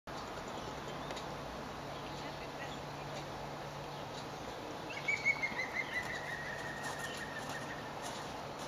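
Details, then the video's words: A European green woodpecker gives a brief laughing series of loud, ringing notes that fall slightly in pitch, over a steady low rumble of background noise. "Green Woodpecker"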